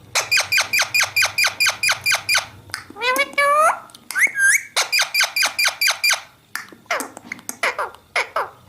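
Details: Pet Indian ringneck parakeet indoors giving a fast run of harsh, ringing squawks about twice a second. The run breaks into rising squeaky notes, then more squawks and a few falling screeches follow.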